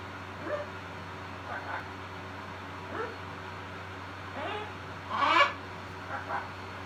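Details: Pet macaws preening together in the evening while one speaks a few words: short, soft, rising voiced syllables scattered across the seconds, one louder harsher burst near the end, over a steady low indoor hum.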